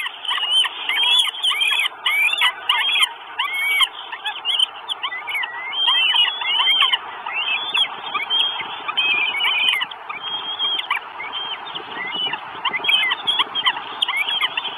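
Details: Northern goshawk chicks at a nest on a live camera in Estonia, 2 June 2022, keep up a dense, overlapping stream of thin, high whistles and squeals, with hardly a pause throughout.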